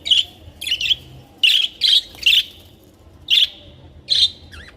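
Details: Captive budgerigars, colorful small parrots, give a series of sharp, buzzy chirps, eight or nine notes in irregular pairs and singles, ending with a short wavering trill.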